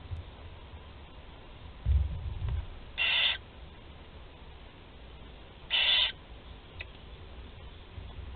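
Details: Barn owl chicks, four young at a Théding nest being fed on 16 July 2020, give two drawn-out breathy hisses roughly three seconds apart over steady low background rumble.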